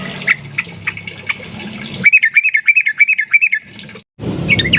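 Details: Yellow-vented bulbul in gacor 'ropel panjang' long-run singing, meant to lure other birds to sing: faint scratchy notes, then a clear burst of about nine fast, bouncing chirps, a brief cutout, and another burst starting.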